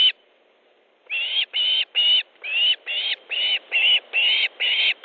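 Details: At an Estonian Osprey nest on an August afternoon in 2014, as fish is brought in: after a second of quiet, a string of nine loud, ringing whistled notes, each slurring upward, repeated rapidly.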